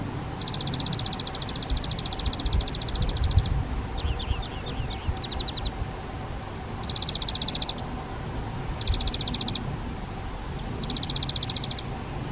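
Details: At a garden shed nest box, spotted flycatcher adults carry flying insects to their young; long rapid bursts of high ticking notes recur every couple of seconds, with a few scattered chirps between.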